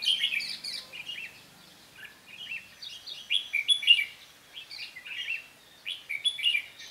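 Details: Bulbul decoy, a red-whiskered bulbul, singing while set out to trap birds: rapid, bubbling whistled phrases of several notes each, coming in bursts roughly every second or two.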